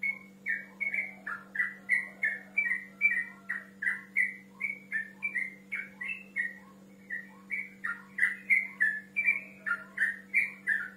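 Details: Male yellow-vented bulbul calling a rival, delivering a sustained series of mellow, gurgling whistled notes about three per second, briefly pausing midway before resuming; low steady hum throughout.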